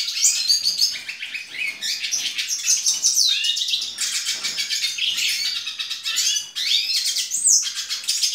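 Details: Young hooded siskin, hatched April 2019, in full song: a fast, continuous, high-pitched twittering warble mixing buzzy trills and sharp whistled slides, barely pausing over several seconds.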